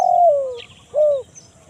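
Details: Spotted dove lure call of the crisp 'kuk 1 mersik' style, used to draw wild birds in forest: a long falling cooing note, a pause, then a shorter arched coo, with faint high chirps overhead.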